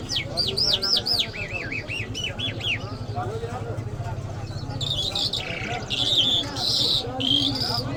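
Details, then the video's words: Iranian lark, called Mashhadi: a run of about a dozen arched, whistled notes repeated rapidly, then harsher buzzy and chattering phrases, over a steady low hum and faint voices. "Jal Birds Iranians Lark Sounds | صدای طرقه، مشهدي مست"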